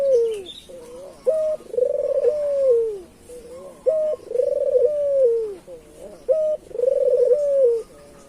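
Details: Local island collared dove cooing, used to lure other doves: a short flat note, then a rolling trilled coo that slides down at the end, the phrase repeated about every two and a half seconds, three times.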